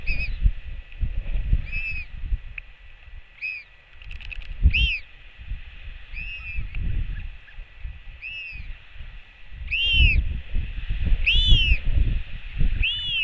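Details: Repeated bowed, harmonic cries from a royal albatross chick greeting its returning mother with a skycall on a New Zealand nest camera, about ten calls growing louder toward the end, with a brief clatter and heavy wind.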